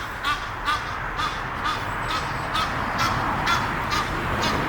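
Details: Egyptian geese, a pair courting while perched in a tree near Henley upon Thames. Loud, clipped honks repeat roughly twice a second in an even, insistent rhythm over low steady ambient noise.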